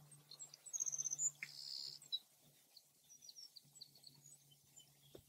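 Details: Savannah Sparrow singing in a field where a pair seems to be nesting, answering another sparrow nearby; a rapid, very high thin trill of notes followed by a longer buzzy phrase, then scattered faint chips in the background.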